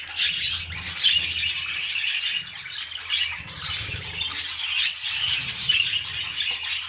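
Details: Pet budgerigars mating, a pair starting toward a new clutch: dense, fast chattering warble with scratchy squeaks and high chirps running nonstop, over a steady low hum in the background.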